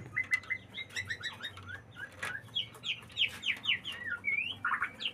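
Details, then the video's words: White-rumped shama in breeding condition singing: a busy stream of short chirps and quick up-and-down whistled slurs, varied and closely spaced, over a low steady hum. "Ini tanda burung murai batu lagi birahi"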